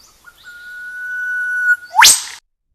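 A whipbird gives a long, steady, pure whistle that ends in a sudden, sharp, rising whip-crack snap.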